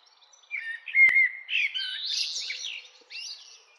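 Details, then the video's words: Song of a common blackbird, opening with rich, mellow whistles, then a sharp click and a scratchy, high chattering run. A short squeaky twitter closes the phrase. "Common Blackbird Song"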